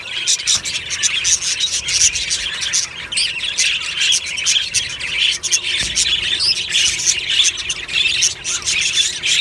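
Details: Morning in a budgerigar aviary, a lively flock of birds chirping and warbling together in dense high bursts, with occasional squawks and a couple of soft knocks.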